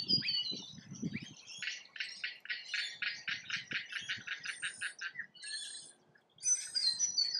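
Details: Feeding rainbow lorikeets in Australia give a run of harsh, grating screeches in fast regular pulses. After a short lull, shrill squeals start up again. Low rustling and knocking is heard at the start.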